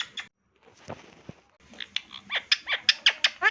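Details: Pet Indian ringneck parrot, described as talking, gives a quick run of about eight sharp, harsh squawks, each bending up then down, after a second of quieter muffled murmurs and soft clicks.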